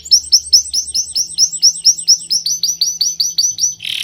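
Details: Birds chirping: a rapid series of about seventeen sharp, high, downslurred chirps, roughly four each second, evenly repeated, with a faint low hum beneath.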